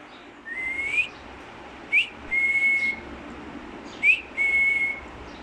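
A black-capped lory gives clear, level whistles near one pitch, some with a quick upslurred note first, in three phrases over five seconds against a quiet background.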